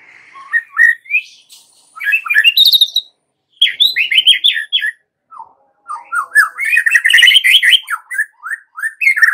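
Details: Lure song of a white-rumped shama for stirring young forest-caught shamas into song: loud, varied, rapid bursts of slurred chirps and whistles in dense phrases separated by brief pauses.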